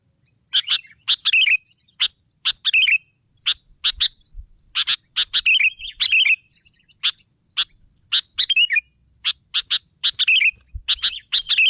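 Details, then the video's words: Sooty-headed bulbul singing steadily. Quick paired and single sharp notes repeat throughout, with brief burbling warbles between them. "suara burung kutilang gacor"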